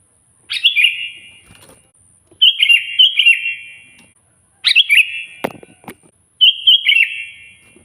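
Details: Loud sooty-headed bulbul song meant to provoke a rival: four bubbly, warbled phrases, some doubled, repeated about every two seconds, with soft knocking sounds between them.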